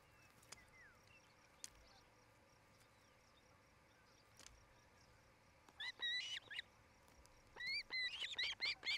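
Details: Nest-cam recording of an osprey in Charlo, Montana, early evening on 8 July 2018: a long quiet stretch with background hiss and faint clicks, then a cluster of upslurred whistled chirps near the end.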